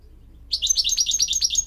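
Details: Goldfinch training song for young goldfinch mules and canaries: a quick, bright twittering trill of about eight rapid high notes over a faint low hum.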